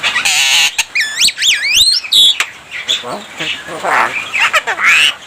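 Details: Javan myna imitating human speech and coughing. Clear looping whistles swoop up and down, mixed with harsh squawks and speech-like warbled phrases.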